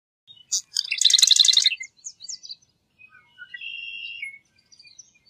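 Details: Marsh wren song: a short rapid gurgling rattle of repeated buzzy notes, followed by scattered high chips and a thinner drawn-out buzzy phrase, then more soft chips.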